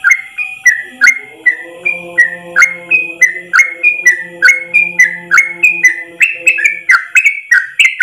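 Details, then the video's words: Yellow-vented bulbul in a tutor recording for caged birds, singing a long rapid 'ropel' song in one breath: bubbly, liquid whistled phrases repeated about three times per second, with sharp clicks and steady low humming tones underneath. "Masteran trucukan terbaik ropel 1 nafas panjang"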